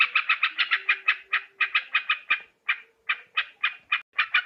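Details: Yellow-vented bulbul lure call for catching birds: quick, harsh chattering notes that slow into separate spaced notes, with a faint low hum underneath.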